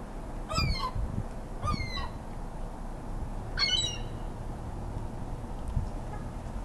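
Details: Feeding-frenzy gulls, small ringtip and large Iceland birds fighting over food; three harsh, descending squealing calls spaced about a second or more apart over low rumbling background.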